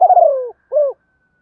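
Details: Fast-cooing decoy spotted dove: a rough, stuttering coo sliding downward, a brief pause, then a short arched closing coo.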